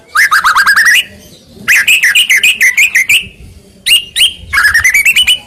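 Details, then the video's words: Singing male white-rumped shama, played to stir quiet males into answering: fast bursts of rising, ringing whistled notes, each phrase a quick repeated sequence, separated by short gaps. "Master kicauan burung murai gacor,BUAT Pancing birahi murai jantan BANYAK DIAM jadi NYAUT!"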